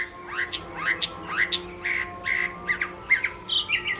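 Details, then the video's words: Chinese hwamei sings harsher, squawking notes in its contest song, each a hoarse upslurred phrase repeated roughly twice a second with brief pauses between. "Họa mi hót đấu hay"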